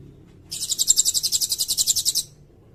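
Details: Sirindet song used as a master recording to tutor songbirds and as a lure for bird catching: one dry, very high buzzy trill of rapid even pulses lasting nearly two seconds, with a faint low rumble beneath.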